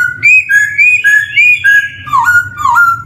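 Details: Black-throated laughingthrush, known locally as poksay hongkong or poksay hitam, used as a training lure for young birds just starting to sing: clear whistled notes alternating low and high, with rising slurs, in rapid repeated phrases ending in lower bent whistles.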